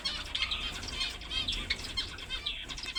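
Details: Several finches chirping rapidly: bright, bouncy notes and brief rising twitters that crowd together, mixed with fluttering wings and a low steady rumble.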